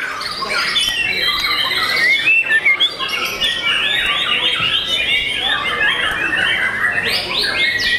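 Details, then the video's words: Caged young white-rumped shama in full song, pouring out fast varied phrases of chirps, trills and sweeping whistles, rising in intensity toward the end with dense overlapping notes. "MURAI BATU PRESTIS SI MURAI MUDA YANG SPESIAL!!!"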